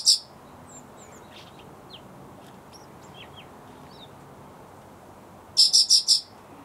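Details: Bluethroat singing: a brief high note at the start, then faint scattered thin whistles and short slurred notes over a quiet hiss, ending in a loud burst of four rapid, ringing high notes.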